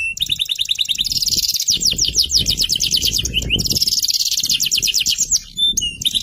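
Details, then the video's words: Singing canary delivering rapid high trills of repeated downward-sweeping notes, two long rolling phrases split by a brief pause and short whistles, over low background rumble. "Kenari FFYS lagunya istimewah"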